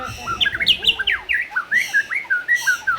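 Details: Energetic white-rumped shama song meant to provoke other shamas into singing: a rapid flowing string of clear whistled notes, loud upward and downward slurs, and short chirps, repeated almost without pause.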